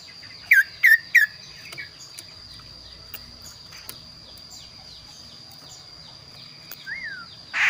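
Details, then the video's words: Kaso-kaso bird singing a varied song: three quick looping whistled notes, then a lone rising-and-falling whistle, over a steady high insect-like drone and soft background noise. "burung kaso kaso gacor suara unik"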